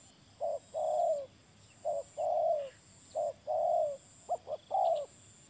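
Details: Spotted dove calling in soft hooting phrases, each a short coo followed by a longer drawn-out, slightly falling coo, repeated about three times, ending with two quick clipped notes before a final coo; steady faint background hiss.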